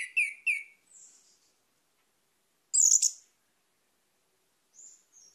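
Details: Orange-headed thrush giving two sharp chirps, a thin high twitter, then one loud, buzzy high burst and faint whistles.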